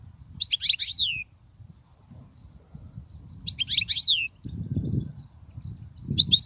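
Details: European goldfinch song used for teaching young goldfinches: two quick bursts of tinkling, liquid twitters with sweeping downslurred notes, separated by silence, a low rumble of handling noise near the end.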